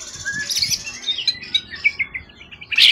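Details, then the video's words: Wild-caught forest competition bird with a tail over 20 cm, long kept, calm and in top singing form, with contest wins. It gives bright high chirps and short whistled phrases, ending in a loud rich burst. "Burung event ori hutan ekor 20cm up lg on banget"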